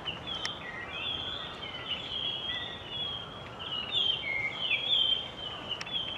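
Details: Resident Japanese grosbeaks singing from a flock in bushes; overlapping clear whistled notes and slurred phrases, many birds at once, with steady background hiss.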